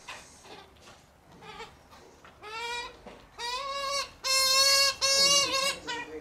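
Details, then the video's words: Australian magpie family feeding in Melbourne; a repeated nasal, strongly harmonic wailing call builds from soft to loud, about two calls a second, with quieter chatter beforehand. "Magpie Family Feeding Frenzy"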